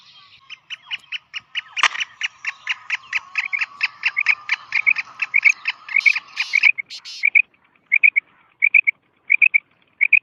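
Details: Kala teetar, the black francolin, calling to be attracted and excited: a long steady series of scratchy clicks, about 86 a minute, ending in spaced, sharper clipped notes in small groups.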